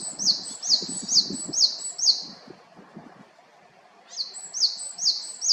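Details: Japanese tit recorded in Haenam, Korea, giving quick runs of sharp high notes repeated roughly twice a second, a pause, then another run; soft low rustling or murmuring underneath.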